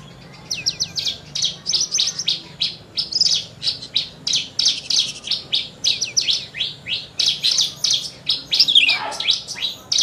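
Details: Described as a rare lark and an able mimic, this Horsfield's bush lark sings a long, sustained series of high, sharp chirps, two to three each second, continuing almost without a break.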